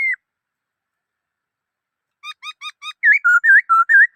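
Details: Black-throated laughingthrush singing after a long pause. Four short clipped notes come first, then a quick run of louder warbled whistles alternating between higher and lower pitches.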